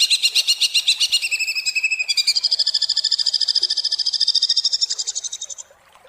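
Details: Harsh rapid-fire song of a greater green leafbird, from tutor material for kept birds. Choppy buzzy notes give way to a sustained, high, evenly pulsed trill lasting several seconds, which then stops abruptly into quiet.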